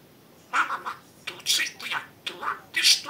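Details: Pet budgerigar speaking mimicked words indoors: grating, high, clipped syllables in four short groups, some ending in thin whistled notes.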